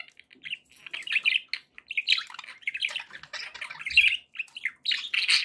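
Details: Continuous warbling chatter from pet budgerigars, a fast jumble of squeaky chirps, clicks and short squawks running almost without pause.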